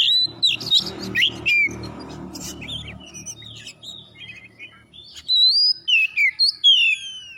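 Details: Oriental magpie-robin singing as a prompt for other birds: loud sliding whistles over a low humming background, a quieter interval, then clear rising and falling whistled phrases repeated about six times.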